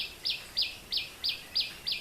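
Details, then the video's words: A common tailorbird (Sinhala: batticha) in a Sri Lankan home garden repeats a sharp, high, emphatic note about three times a second, six in quick succession, over a steady high hiss of insects. "So this sound you can hear in this background, it's the sound of the common tailor bird."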